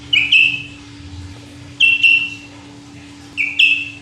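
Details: Sooty-headed bulbul singing tirelessly: three short whistled two-note phrases, each a quick sharp rise then a falling slur, spaced roughly every one and a half seconds, with a low steady hum behind.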